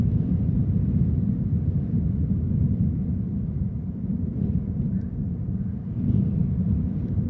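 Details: Steady low rumble of a passing aircraft or vehicle fills the recording, with no clear animal calls.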